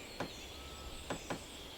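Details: Close-up of a red-capped Pileated Woodpecker pecking on wood: three sharp, dull knocks, one alone and then two close together, over a steady outdoor hiss.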